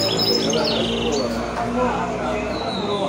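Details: Goldfinch × canary mule, a hybrid of a male goldfinch and a female canary, giving high twittering chirps and short bright notes over steady background voices.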